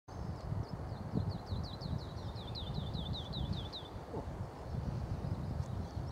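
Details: Woodlark at Dersingham Bog nature reserve, 28 April 2013, singing a run of about fourteen liquid, slurred notes, quickening then easing and stepping down in pitch, over a low rumble of wind or distant traffic.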